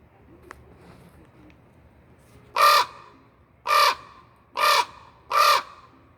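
A raven gives four loud, harsh, rasping caws spaced about a second apart after a quiet start, begging for food; faint indoor hum behind.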